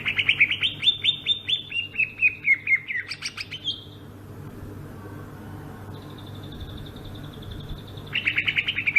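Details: Sumatran greater green leafbird, a cucak ijo singing the rolling ngerol style: rapid runs of bright notes sliding down from high to mid pitch for about four seconds, then a long steady whistle, and another fast burst of notes at the end.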